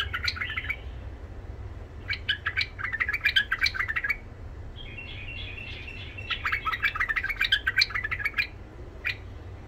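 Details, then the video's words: Tame Iraqi white-eared bulbul song, meant to teach young bulbuls and rouse wild ones: several chattering, warbled phrases of rapid notes separated by short pauses, over strong background hum. "تغريد بلبل عراقي ابيض الخدين اليف صوت خشن حنجره ذهبيه لفتح البلبل الوحشي لتلقين صغار البلابل تحفيز"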